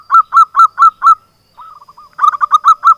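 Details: Local zebra dove giving its lure song to start silent doves singing: five evenly spaced coos, a pause, soft quick lower notes, then a fresh run of bright coos.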